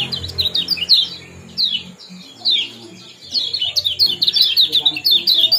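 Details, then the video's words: Lemon-bellied white-eye ciak-ciak and jos calls for bringing kept birds into breeding condition: quick clusters of bright, high chirping notes, a short pause midway, then a dense chattering run. "Kombinasi ciak jos spesial pancingan kecial kuning"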